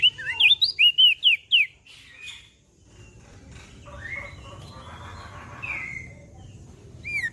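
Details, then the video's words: Mountain leaf warbler in active song, meant to lure and tutor birds: a fast burst of about seven high slurred whistles, then quieter muffled squawky sounds and background noise, ending on one more whistle. "Opior Jambul Gacor Siang Malam"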